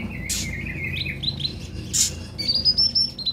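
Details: Sunbird known locally as konin, kept caged, singing to encourage other birds to start singing: a rapid high twittering run of thin notes, climbing into a fast shrill trill near the end, with some low background rumble.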